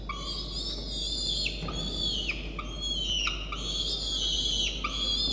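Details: Still-hungry peregrine falcon chick, filmed shortly after feeding on 1 November 2021, makes a series of loud, strained, whining begging calls, each ending in a downward slur. It nibbles the female's talons and beak. A low hum is in the background.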